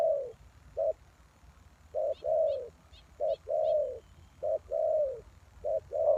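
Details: Spotted dove cooing as a lure for wild doves. The pattern is short coo, long slurred coo, repeated steadily, while a small bird gives a quick series of high chirps early on.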